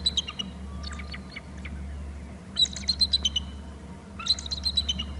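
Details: On Hornby Island, a bald eagle at its nest territory, climbing to the top of the babysitting tree, gives rapid series of high, piping, chattering notes in three bursts. A constant low mechanical hum runs beneath.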